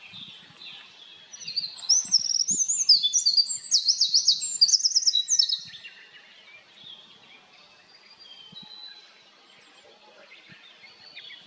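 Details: Eurasian wren singing on a plateau in Japan: a loud, rapid, high-pitched outpouring of trills and sharp zigzag notes lasting about four seconds, then fading to softer distant song, with faint low thumps.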